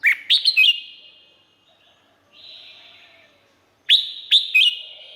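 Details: Red-whiskered bulbul from Thailand: a quick cluster of three or four sharp chirpy notes, a pause filled by a soft lingering echo, then another rapid three-note bubbly phrase.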